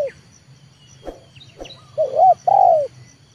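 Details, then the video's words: Trained 'leopard' spotted dove used as a decoy, calling to bring wild birds down to the ground. A few soft clicks come first, then a single phrase: a quick wavering coo and a longer, mellow, downward-sliding coo. "TEKUKUR LEOPARD AJARAN RASA PIKAT"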